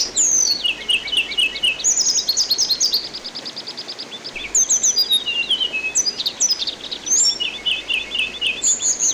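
An orange-headed thrush sings rich, varied high phrases, with quick trills and repeated notes and brief pauses between bursts. There is a faint background hiss.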